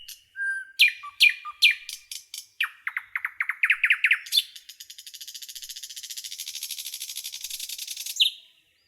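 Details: Forest nightingale song opening with a few clear notes, speeding into a rapid series of rising notes, then a long, fast, dry rattling trill that ends on one sharp note.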